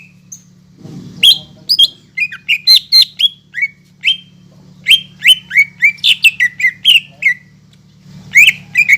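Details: Greater green leafbird singing vigorously, offered as therapy for leafbirds that refuse to sing; a long, almost unbroken chain of bright chirps and slurred whistles, varied in pitch, runs for most of nine seconds above a soft background hum.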